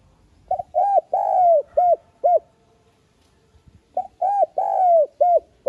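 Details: Lure cooing of a spotted dove, meant to stimulate pet doves into singing quickly. Two identical phrases a few seconds apart, each two short coos, a long sliding croo, and two brief closing notes, low and mellow.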